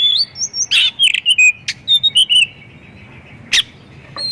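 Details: White-rumped shama lure song for prompting other shamas: rapid sequence of high whistles, sharp chips and short slurred notes packed into the first two and a half seconds, then a lone click and quiet.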